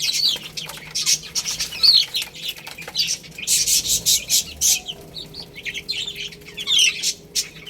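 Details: Baby hens eating rice give bursts of high, piping chirps in clustered runs, several birds calling together, with brief quieter gaps between the louder flurries.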